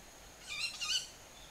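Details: Young owls calling in early summer at about 7:40 pm on 20 July, recorded from a garden with a compact camera; around five birds moving tens of metres above the ground. A short, shrill, harmonic rasping call, two linked bursts.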